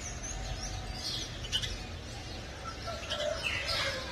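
A young house sparrow gives thin, high chirps at scattered intervals over a low background rumble.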